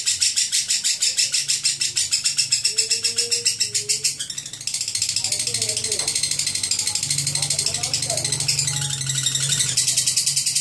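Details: Lovebird in long ngekek chatter: rapid pulsing high rattle throughout, briefly pausing then resuming, with other birds' short whistled notes and a low background hum.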